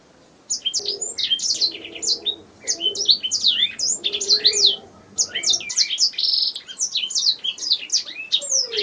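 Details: Canary song used as master training audio for songbirds: rapid high whistled and trilled notes in bursts, sweeping down, with one sustained buzzy note mid-phrase, pausing briefly between phrases; faint low murmuring sounds beneath.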